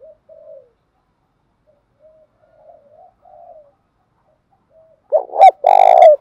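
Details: Male and female spotted doves calling to provoke cooing in trained birds. Faint, broken soft coos drift along before a loud rolling two-part coo bursts in near the end.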